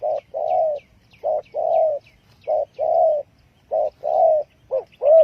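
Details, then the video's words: Spotted dove lure call for trapping birds: repeated low coos in short-long pairs, the longer notes slightly wavering, about one pair per second, with faint high chirps of small birds. "Chim cu gáy chiêu kích mồi tập bổi nhanh nổi hiệu quả"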